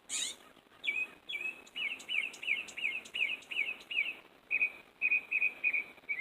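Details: Northern Mockingbird singing in a tree in the early morning after singing all night: bright, high phrases, each repeated several times in quick succession before switching to a new slurred or steady note; faint background hiss.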